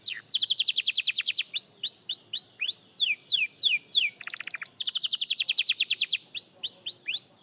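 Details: Young canary in singing practice, alternating quick trilled bursts with rows of rising, hooked whistles. A brief lower rattle comes before another fast trill and a return to curved notes.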